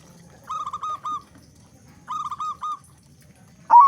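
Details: Loud-voiced local zebra dove from Indonesia, used to lure other doves into calling. Two phrases of three or four quick, clear, even-pitched coos about a second and a half apart, ending in a sudden loud, high note.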